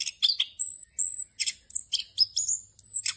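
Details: Orange-headed thrush ngerol song with filler phrases, kept for training other birds. Thin, high, drawn-out whistles alternate with short buzzy bursts, with roughly nine separate phrases in quick succession.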